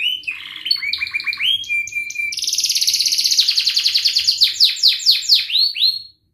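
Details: Energetic canary song for training young canaries, in ngerik, cuit cuit and ngerol styles: short whistles and chirps lead into a long, dense, rolling trill of rapid repeated notes that ends in downward sweeps.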